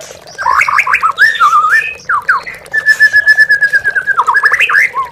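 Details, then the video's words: Lure song of an oriental magpie-robin aimed at provoking caged birds: rapid stuttering notes, a long steady whistle with pulsed overtones, then quick chattering phrases and slurred whistles, with running water beneath. "MURAI BATU MANDEK BUNYI,MURAI BAHAN DAN TROTOL..H4JAR PAKAI PANCINGAN INI BOSS..AMPUH"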